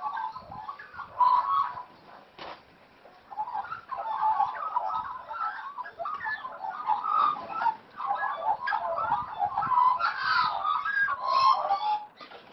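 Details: Playing Australian magpies, never hand-raised, calling in a lively medley of warbles, squeaks and chuckling notes, with brief pauses and a few sharp clicks and knocks between bursts.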